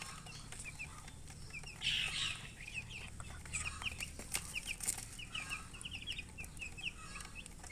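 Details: Coloured chickens make soft, high peeping chirps repeated in steady quick runs, with one louder rustling burst and occasional clicks over a constant low hum.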